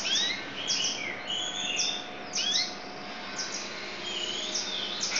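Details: Yellow canary singing a lively, varied song of quick high whistled sweeps and trills, rising and falling notes strung together almost without pause, over a faint steady background hum.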